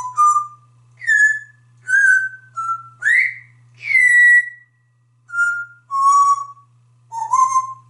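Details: Indoor pet male African grey parrot from Texas, after a shower, whistling his version of the Andy Griffith theme song: clear pure whistled notes, some sliding upward, about eight notes in steady tune-like rhythm with a faint low hum.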